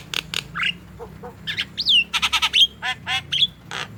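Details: Javan myna, a vocal bird used as a lure to get young, lazy or silent mynas to call, makes loud raspy squawks alternating with thin downslurred whistles and nasal notes, a busy irregular chatter.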